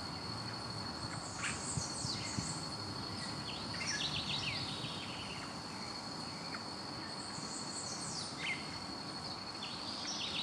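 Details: Pale-breasted Thrush (Turdus leucomelas) in Puerto Iguazú, Misiones, Argentina, giving sharp, downslurred whistled notes and brief chattering phrases at irregular intervals, over a steady high insect drone.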